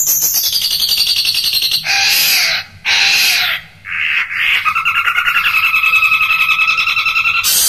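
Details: Long-tailed shrike song used as a training recording for caged birds: loud harsh rasping bursts and a long buzzy rattling trill with a steady tone beneath, varied imitative phrases, continuous and dense.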